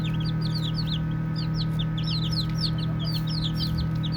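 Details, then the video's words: Baby chicks at play chirp in loud, clear, falling peeps, a few birds calling in quick succession, over a constant low droning hum. "5 Minutes of Baby Chicks Chirping Sounds | Cute Playing"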